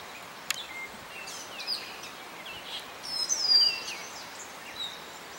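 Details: At Morgans Point, a Gray Catbird sings soft, jumbled phrases of high squeaky chips and short whistled slurs, loosest in the middle, over a steady outdoor hiss; Gray Catbird.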